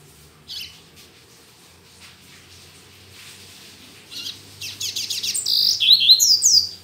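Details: Morning song of a double-collared seedeater, recorded on a Saturday and still weak. Faint clicks come first, then rapid rising chirps build into a dense, scratchy, high warble at the end, over a low steady hum.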